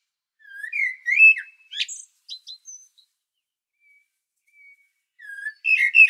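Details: Blackbird song filmed on Medvednica Mountain, Sljeme, Zagreb, Croatia: mellow rising and falling whistles, then scratchy high twitters and a few thin notes, a pause with faint distant whistles, and a new warbled phrase starting at the end.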